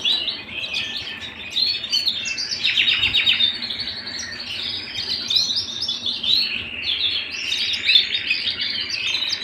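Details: {'caption': 'Canary singing indoors at home, a busy run of high chirps, buzzy rattles and quick rolling trills that rise and fall in loudness, with phrases packed closely together.'}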